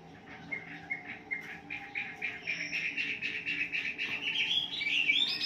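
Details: Caged-bird morning lure of wambi song: steady rapid chirps, about four each second, gathering pace and climbing into a bright upward flourish at the close.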